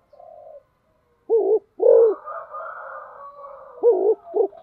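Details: Spotted dove in 'thúc gù' fast cooing, two pairs of low hollow coos heard over a steady droning background tone.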